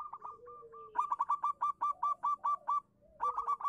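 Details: Local zebra dove in full song, meant as a lure for doves that will not sing: a long run of about a dozen evenly spaced, clipped cooing notes, a brief pause, then another burst.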